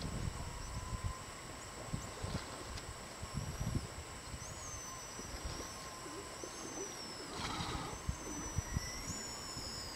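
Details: Pigeon guillemots giving high-pitched, thin whistle calls, several short sliding whistles scattered across the stretch, over constant low rumbling and breathing noise from an elephant seal, with sea lions roaring in the background.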